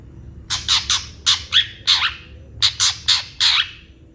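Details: Long-tailed shrike in lively song full of imitated fill-ins: clusters of harsh, buzzy, broadband notes, about eleven in all, in quick groups with short pauses between, over a low hum.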